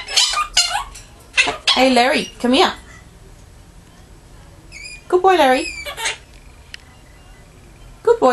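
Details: A 5-year-old green male monk (Quaker) parakeet mumbles to himself in short bursts of squeaky, wavering mimicked speech like "tickle", then says "bye bye" when he realises he is watched.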